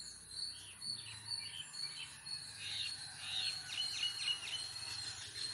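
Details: Jungle babblers (Turdoides striata) visiting a house where they are fed biscuits chatter in a busy stream of squeaky, overlapping notes, about two a second, over a steady high insect-like hum.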